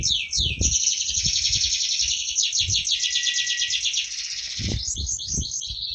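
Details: Lively prize-winning canary sings a long continuous high trill, ending in quick swooping notes, with low knocking background sounds.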